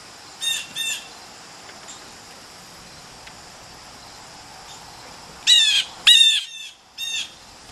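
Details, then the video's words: Excited blue jays rushing in to grab peanuts, chatty; short harsh squawking calls in two pairs, one near the start and a louder burst of three toward the end, over a quiet background. "Excited blue jays rush in to grab some peanuts"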